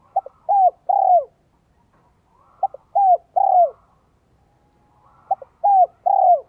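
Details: Caged spotted dove with a 'giọng son 1 cốt lỡ' voice, kept to lure wild doves. Three repeated phrases, roughly every two and a half seconds: short clipped notes leading into two longer, mellow, falling coos, with a faint low background hum.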